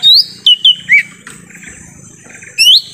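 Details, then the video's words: Forest lure recording of lesser green leafbird for drawing in wild birds: a quick series of loud descending whistled notes, then a pause and another bright rising-falling whistle. "suara asli pikat cucak ijo mini di hutan"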